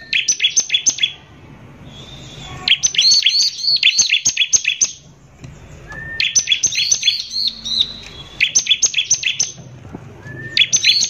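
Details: Bar-winged prinia, a prolific singer, delivering a harsh, shooting lure song meant to agitate other prinias: several bursts of fast, high, piercing chirps separated by short quiet gaps.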